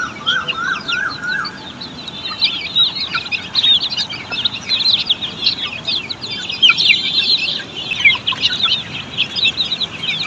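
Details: Australorp chicks at a poultry farm: a few lower chirps open, then a dense stream of high peeps from many chicks calling together.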